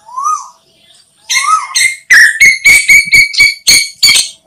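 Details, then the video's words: Asian koel played as a hunting lure: two soft rising notes, then a loud, rapid run of about nine sharp, clipped notes, several per second, harsh and overloaded. "Tiếng Tu Hú Mồi Bén Nhất Cho Ná Thủ"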